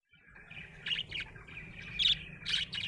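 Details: Happy budgerigar chirping: a run of bright, scratchy warbles and short chattering notes with a steady raspy undertone, bursts growing louder toward the end; a faint low hum underneath.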